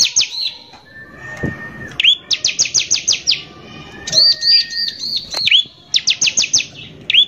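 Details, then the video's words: Bar-winged prinia, an in-form singer recorded as a lure to make other prinias aggressive, delivering dense rattling trills between clear arched whistles that rise and fall, with a low level whistle in between. "PANCINGAN CIBLEK GACOR NEMBAK KASAR INI PALING BISA BIKIN CIBLEK EMOSI"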